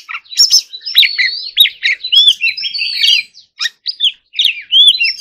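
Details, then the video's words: Singing white-rumped shama from a bird-competition context, mixing slurred downward whistles, quick twitters and buzzy notes in a lively phrase, with short pauses toward the end. "choè than hót líu || Kacer Gacor"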